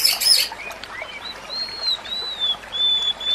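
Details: White-rumped shama singing for use in training other shamas: a brief harsh rushing burst, then soft, long, thin high whistles drawn out and gently rising and falling.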